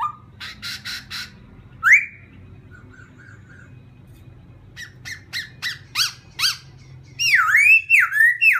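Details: Laughingthrush; song; stirring another laughingthrush to sing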